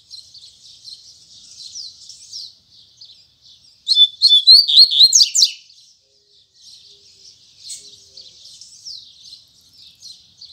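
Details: Coleiro, or double-collared seedeater, in morning song of the Tui Tui Zel Zel style: quiet high chattering, then a two-second burst of loud, sharp, descending whistled notes, then soft twittering resumes.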